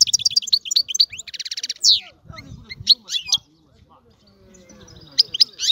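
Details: European goldfinch giving fast chirps and a buzzy trill at the start, then softer low background sounds and scattered notes, with twittering resuming near the end.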